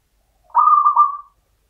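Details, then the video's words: Local champion zebra dove, Mataram standard rhythm: one gentle cooing phrase under a second long, pulsing in three soft beats before tapering off, with no other sounds. "PERKUTUT LOKAL IRAMA PAKEM MATARAM JUARA"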